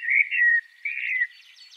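A Common Blackbird sings two mellow, fluty warbled notes, each about half a second long, followed by a soft, high, squeaky twitter.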